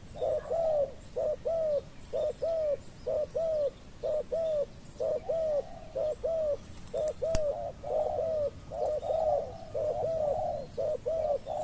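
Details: Spotted dove used as a decoy bird in Thailand, with wild doves said to arrive late. Soft, low coos repeat steadily about once a second against a constant hiss of outdoor background noise, with one sharp click.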